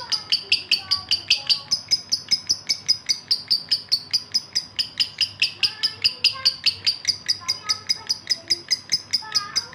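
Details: Male lovebird in breeding condition calling to a female: a long unbroken train of rapid, shrill chirps, about four per second, steady and insistent throughout.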